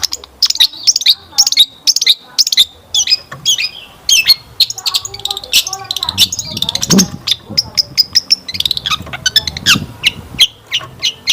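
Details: Long-tailed shrike lure song, played to make other shrikes reply and sing. Busy, varied chatter of sharp ticks and squeaky whistles runs almost without pause, with scattered harsher notes.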